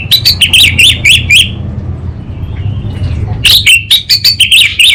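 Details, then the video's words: Orange-headed thrush singing energetically in kabel konslet and ngeplong style: rapid, repeated chirpy high notes in a busy phrase, a pause of about two seconds, then another fast burst of bright, warbling notes. "ANIS BATA Berkicau Gacor Membuat Burung Cepat Tanggap dan Respon Kabel Konslet Lanjut Ngeplong"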